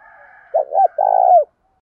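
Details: Spotted dove cooing used to provoke fighting and draw newly caught doves into calling; one phrase of two soft hooted notes followed by a long, rolling coo that slides downward at the end, over a faint background hum.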